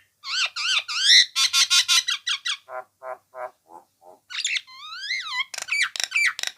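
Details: Nias hill myna singing for songbird training: wavering whistled notes, a rapid harsh chattering series, lower hollow repeated calls, a long sliding whistle that dips at its end, then loud raspy bursts.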